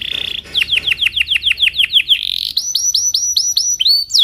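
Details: Belgian canary singing in the morning as a teaching lure for young canaries: a short buzzy roll, then a series of about a dozen clear downward-slurred notes, followed by higher upward-curving chirps and a final rising whistle.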